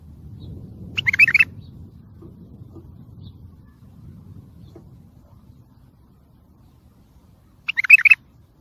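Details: Bulbul singing a tayariyat saihan strain, used to train and stir young birds. Two brief chattering, warbled bursts arrive nearly seven seconds apart over a faint low hum.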